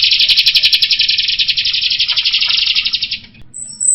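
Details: Jalak rio myna singing loudly in a continuous buzzy, rasping rattle of rapid pulses about four per second, fading near the end, followed by a brief high thin whistle.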